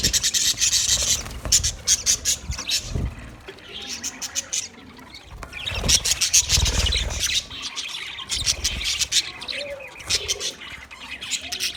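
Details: Green budgerigars twitter in irregular bursts of quick, high clicks and chirps, roughly two or three per second, with brief quieter gaps and a few low thumps.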